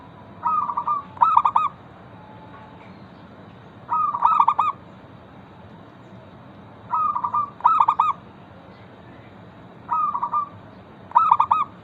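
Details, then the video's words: Local zebra dove song meant to draw other zebra doves into calling: four paired bursts, a slurred trill followed by a run of rapid staccato coos, spaced about three seconds apart over quiet background noise. "Perkutut lokal gacor pancingan ampuh Suara disukai burung perkutut bikin cepat bunyi langsung nyaut"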